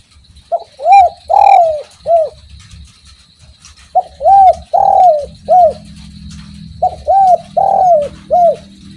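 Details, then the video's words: Spotted dove cooing in full voice: three-note phrases of hollow, arched coos, the middle note longest, repeated three times about every three seconds over a low rumbling background. "BURUNG DERKUKU MANAPUN PASTI IKUT BUNYI DENGER SUARA INI || SUARA FULL GACOR"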